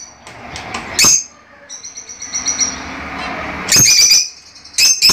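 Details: Fischer's lovebirds kept indoors, singing to prompt breeding. Soft high twittering runs beneath loud shrill bursts near the start and toward the end.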